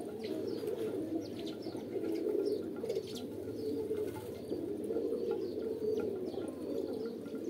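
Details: Many pigeons coo at once in a soft, rolling drone of low gurgling notes, with a few clearer phrases rising out of the chorus.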